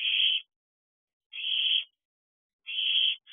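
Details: Nighttime in a barn owl nest box, 5 July 2023, with the eldest owlets of a brood in week 13 together; three drawn-out breathy hissing screeches spaced over a second apart, then the start of another.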